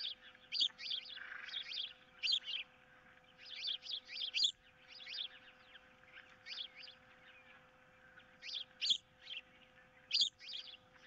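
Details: On 15 April 2023 a nesting osprey pair quarrel over a fish while some intruder is around: repeated clusters of high, squeaky whistles about every one to two seconds, over a constant faint electrical hum.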